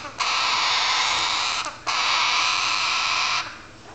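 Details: Baby galahs (rose-breasted cockatoos) waiting for breakfast, one nearer weaning than the other: two long, harsh, rasping begging bursts, each about one and a half seconds, with a short break between.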